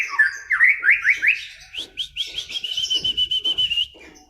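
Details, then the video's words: White-rumped shama song: a quick run of sharp upslurred whistles, followed by a fast chattering series of clear notes that settles into a bright, steady trill before fading. "Kicauan Murai Batu"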